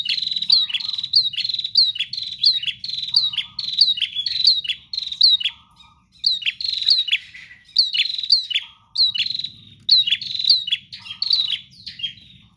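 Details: Bar-winged prinia in full, relentless song: phrases of sharp, bright chips and falling notes separated by short gaps, with low buzzy notes between several phrases and a soft low drone in the background.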